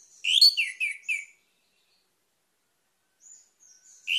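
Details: Orange-headed thrush gives one quick phrase of several bright, falling whistled notes, followed by silence and faint thin notes, then the start of another loud phrase.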